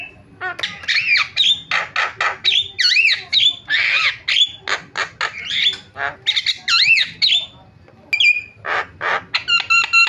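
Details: Starling tutor calls used to trigger calling in other starlings: a continuous run of harsh squawks alternating with looping, arched whistles, repeated almost without pause over ten seconds.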